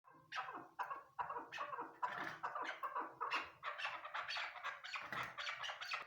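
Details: Female chukar partridge calling, a rapid series of harsh, clucking notes repeated about once a second, each a broad raspy burst, building into a steady chattering rhythm.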